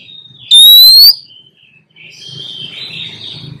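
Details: Female Oriental magpie-robin in breeding condition, wild, calling back and forth to lure a male: one loud, clear whistle sweeping upward, with a soft low hum and faint chatter after it.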